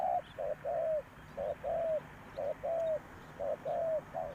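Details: Decoy spotted dove calling to draw in wild birds: soft hooting coos, each brief note followed by a drawn-out falling one, pairs spaced about a second apart.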